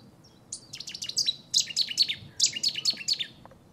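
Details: At Newport Wetlands Reserve, a Cetti's warbler sings in territorial/courtship display: loud, staccato, high-pitched notes in three abrupt rapid phrases, each a quick series of emphatic chips, close and clear.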